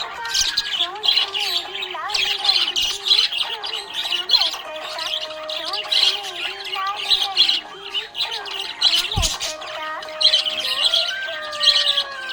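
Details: Happy budgie chatter: a busy stream of high, scratchy chirps and brief squawks runs continuously while music with held, gliding tones plays beneath, and a single sharp click cuts through near the end.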